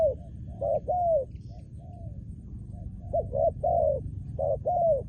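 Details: Decoy-trained spotted dove cooing in quick succession: short clipped notes then longer falling coos, some loud and some soft, forming a rolling rhythmic phrase.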